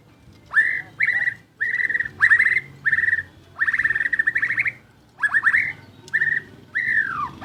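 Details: White-rumped shama, a champion singer, giving a series of short, rapid trilled bursts on a steady pitch, repeated roughly every half second, the last phrase sliding downward.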